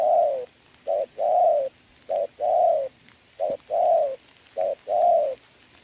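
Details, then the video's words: Spotted dove decoy in a trapping contest with a wild dove during rain, 26 November 2022. Regular paired coos, a clipped first note leading into a fuller, drawn-out second, about one pair per second. "mưa mà e bổi gù tốt"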